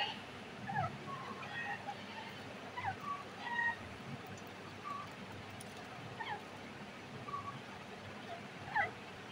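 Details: Breeding-season grey francolin giving scattered, clipped whistled notes that slide up or down, arriving in loose clusters with gaps between them, fairly faint against constant low hiss.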